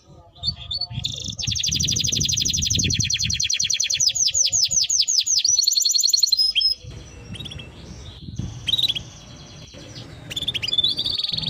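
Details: Timbrado canary giving a sustained high rolling trill for about five seconds that loosens into slurred sweeping notes, then quieter scattered chirps over faint low background noise.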